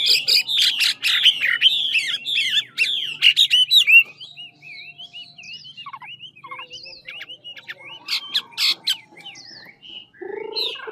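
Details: Chinese hwamei of the ngũ trường kind from Lạng Sơn, singing hard as in a contest: four seconds of dense, loud, warbled and rolling whistles, followed by lighter twisting notes and a renewed burst around eight seconds.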